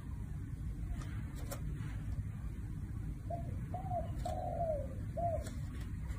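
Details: Spotted dove in the one-kuk singing style, sweet and clear: after quiet low noise with faint clicks, a phrase of soft short coos, one long downward-gliding coo and a short final note.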